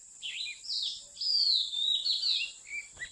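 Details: Oriental magpie-robin, a wild bird being trapped in mountain country, gives a string of sweet, slurred whistles, some rising and some dropping, over a constant thin high-pitched hiss.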